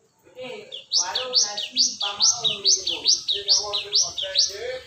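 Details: Cinereous tit (gelatik batu) lure call: bright, high whistled phrases, each a sharp falling note followed by a lower slurred one, repeated steadily over two times a second, with softer lower warbling beneath.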